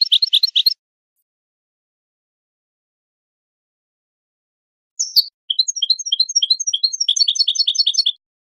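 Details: Goldfinch singing, recorded for teaching chicks and songbirds: a short burst of rapid twitters, a long silence, then a thin rising note and an extended, fast, tinkling series of high chirps and trills, clean and free of background noise.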